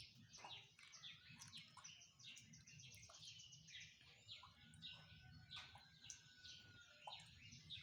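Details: Morning birdsong from several birds at once: busy high chirps and twittering phrases overlap, one long even whistle runs through the middle, over a constant low hum.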